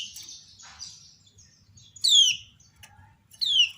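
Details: Female kecial kuning (white-eye) calling to draw other birds into answering: softer wavering twitter at first, then two loud downward-slurred whistled chirps about one and a half seconds apart, over a low background hum.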